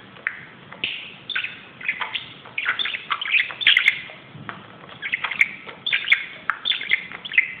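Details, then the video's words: Budgerigar acting crazy on top of a closet, giving a busy warbling chatter of quick chirps and squeaky notes, dense bursts in the middle and toward the end. "grasparkiet doet zottekes op de kast"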